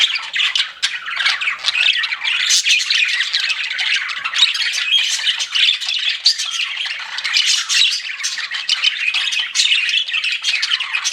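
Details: Pet budgerigars chirping together: a dense, continuous warble of scratchy chirps, clicks and squeaky notes overlapping without pause, with no other sounds.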